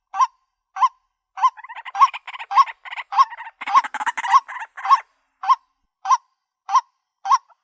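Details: Mate-seeking call of a female white-breasted waterhen: spaced, nasal kwak-like notes about every 0.6 seconds, broken in the middle by a denser, noisy chattering burst, then settling back into evenly spaced single notes.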